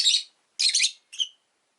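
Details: Rosy-faced lovebirds kept as pets, five in a cage beside a window, green with orange faces: three harsh, scratchy chirps in quick succession, the last shorter and more whistled.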